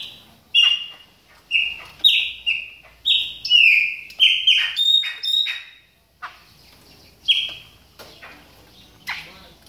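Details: Chopi blackbird in moult warming up, a quick burst of whistled notes with squeaky high overtones, then a pause and a few scattered whistles.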